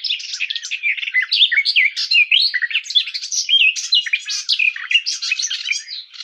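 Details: Unbroken, energetic warbling from Sylvia borin, the garden warbler: dense, mellow notes tumble rapidly in constantly changing twists and slurs from start to finish.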